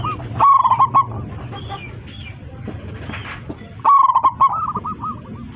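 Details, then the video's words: Zebra dove, a local bird with a big voice, calling its flock: two loud bursts of rapid rolling coos about three seconds apart, the second trailing into softer looping coos, over a low rumbling background. "PERKUTUT LOKAL GACOR 27 MEMANGGIL KAWANANNYA MANGGUNG suara besar"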